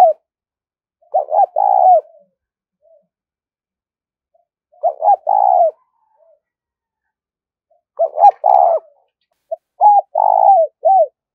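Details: Spotted dove calling in the 'thúc rút' style for luring wild doves to traps. Four throaty phrases come with irregular pauses, each a quick hooked double note plus a longer vibrant coo, the last more broken and stuttering.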